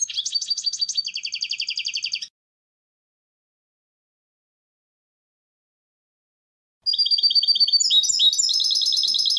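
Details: Goldfinch singing in two bursts: a quick, even trill of high chirps for about two seconds, then several seconds of silence, then a denser, tinkling twitter of bright notes that continues to the end.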